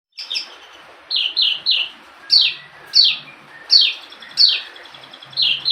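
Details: Local Horsfield's bush lark (branjangan) singing a full-repertoire song: bright descending whistled slurs, some doubled, repeated about every half second with short gaps, and a faint low hum beneath.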